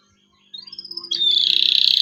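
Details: Singing local canary used to coax juvenile canaries into singing. A thin whistle climbs and holds, then breaks into a loud, continuous buzzy trill with fast pulses.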